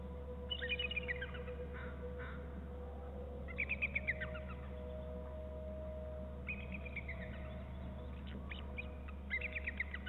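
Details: Eagles calling while soaring around the BST and Fosters Fir trees at 10:46: several bursts of high, rapid, chattering notes that slide downward, each run lasting about a second, separated by pauses, over a steady low electrical hum.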